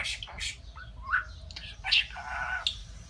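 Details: Talking pet budgerigar, declaring love, in recordings meant to make listening budgies speak; scratchy syllables, a short whistled note, then a longer buzzy warble, all over a faint low hum indoors.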